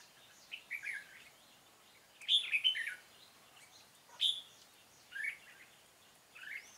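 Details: Red-whiskered bulbul, decoy bird singing its fighting song while trapping on 13 March 2017; scattered short warbled phrases and sharp upslurred notes separated by quiet gaps.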